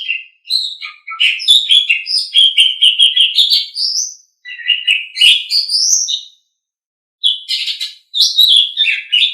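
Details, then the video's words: Asian pied starling song for training caged pet birds: long, busy bursts of chattering, squeaky and whistled notes rising and falling, broken by a short pause before a final harsh phrase. "Suara Burung Jalak Suren"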